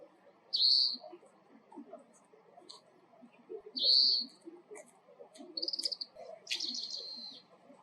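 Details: Oriental greenfinch, call described as twittering 'kiri-kiri koro-koro': two loud short buzzy notes a few seconds apart, then a rapid rattling trill and a harsher burst, with faint ticks and low background murmur.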